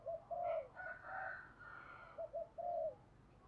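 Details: Spotted dove decoy with a good, structured cooing voice, used to stimulate trainee doves; two rounded coo phrases separated by softer, higher murmuring, heard over constant background hiss.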